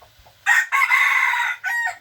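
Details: Vigorous F2 junglefowl rooster crowing: a short opening note, a brief gap, then a long harsh sustained middle section, followed by a shorter final burst, loud and clear against a quiet background.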